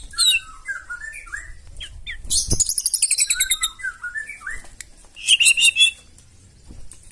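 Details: White-rumped shama in full loud song, sung to provoke others into singing: slurred whistles, a fast high rattling trill, more descending whistles and a final burst of high chips.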